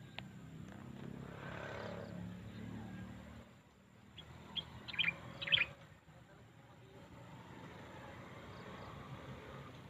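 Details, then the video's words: Birds chirping: a few short, bright, high chirps clustered near the middle, separated by quieter stretches, over a steady low rumbling background with faint scattered higher ticks. "natural sounds of birds shirping they're singing"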